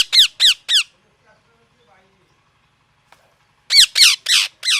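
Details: Parrot chirping: three loud harsh squawks in a rapid series, about three seconds of near quiet with faint murmurs, then four more grating, downward-sweeping squawks.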